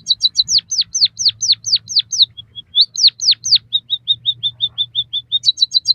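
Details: White-headed munia song meant to stimulate caged birds: a string of sharply descending whistles, a brief pause, more slurs, then a steady row of short high notes and a final burst of chips.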